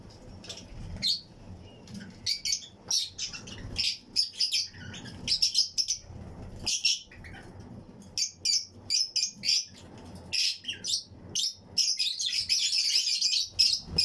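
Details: Pairs of Fischer's and Lutino lovebirds chirping in a colony flight aviary used for breeding: dense, busy stream of shrill high chirps and squeaks from several birds, growing into a continuous chattering burst near the end.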